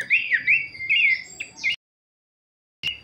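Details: Kleperan song typical of a babbler: a run of loud looping slurred whistles, rising and falling in quick succession, ending in a rough burst, then silence before another note begins.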